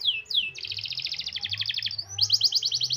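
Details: Canary in a long rolling song meant to coax reluctant canaries into singing: two falling whistles, then fast buzzy pulsed trills, a brief rising glide, and another quick trill.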